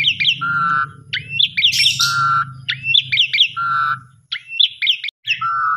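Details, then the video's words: Asian pied starling song played as a lure for stressed or sulking pet birds: upswept chirpy notes ending in long, flat, lower whistles, repeated several times, with one harsh rasping burst in the middle and low background hum. "Pancingan Paling Cepat !! Jalak Suren Pundung Langsung Nyaut Gacor"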